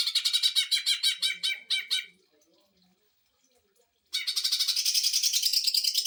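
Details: Greater green leafbird singing fast 'sewing machine' bursts for training and provoking other birds: a stuttering series of rapid rasping notes, about two seconds of quiet, then a dense, high, continuous rattle.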